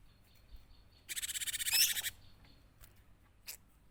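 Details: Lure recording of a cinereous tit in full song: one loud second-long burst of rapid buzzy repeated notes, preceded by a faint steady thin whistle and followed by a couple of short clicks.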